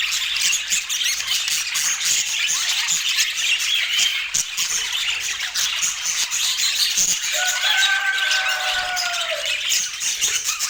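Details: Budgies, colorful pet birds, eating sweet apple chirp and warble continuously in a high scratchy flow, with a clear drawn-out whistled tone sliding down late in the passage.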